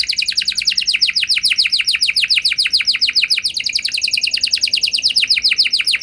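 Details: Canary song used to prompt other canaries to sing in reply: a fast, loud trill of repeated downward-sweeping high notes, about three or four per second, that shifts into a lower rolling phrase near the end.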